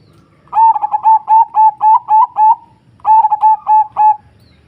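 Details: Song of a zebra dove: two phrases of fast, stuttering coos, the first longer with about eight ringing notes, the second shorter, each note clear and mid-pitched, delivered in a lively rhythm against a quiet background.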